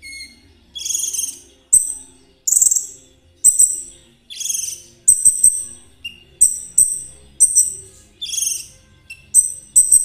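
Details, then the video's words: Konin of the spotted 'trotol' type, singing to prompt other birds to sing, used as a lure: sharp, very high chirps and twittery bursts come in short clusters about every half second to second, with quiet gaps between. "Terapi KONIN agar ikut gacor !! Cocok buat pancingan kolibri ninja. suara konin Trotol."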